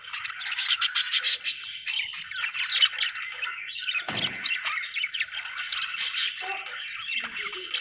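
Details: Chirping budgies from Australia in a lively flock chatter of squeaky warbles and clicks, with louder pulsed bursts early on and a short dull thump midway.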